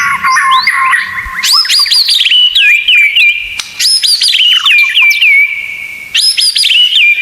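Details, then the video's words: White-rumped shama tutor song with bold whistled phrases: sharp upward sweeps, a string of repeated falling slurs and long level whistles, repeated several times in loud clear bursts. "Masteran Murai Batu Full Isian Tembakan"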